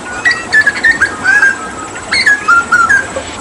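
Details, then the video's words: Hooded butcherbird from Papua, a mimic used as a tutor singer for other songbirds, delivering a 'tembakan' burst of clear whistled notes that step down from high to mid pitch, the short phrase repeated twice over steady background hiss. "Masteran Tembakan JAGAL PAPUA gacor"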